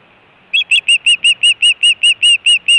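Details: Osprey at the Hellgate nest on a Univ of Montana and Cornell Lab nest camera, 24 June 2017, where adults gave fish calls and alert calls: about twelve sharp, clear whistled notes in a quick, even run of roughly five per second.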